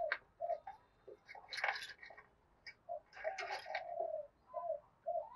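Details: Decoy spotted dove 'thúc gù' cooing, several short deep coos repeated amid loud rattling and clattering bursts, probably from the cage.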